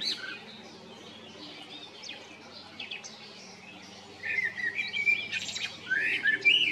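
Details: Male common blackbird recorded in spring 2022 at Jarun or Prečko in Zagreb, Croatia; faint distant twittering first, then a louder run of fluty, sliding phrases and rising whistles in the second half.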